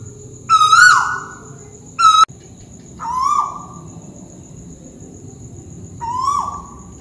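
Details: Malaysian tuwu owl calling from above: a loud whistled note, a second cut short by a sharp click, then two softer, slightly lower falling notes about three seconds apart; quiet background with a faint steady high tone.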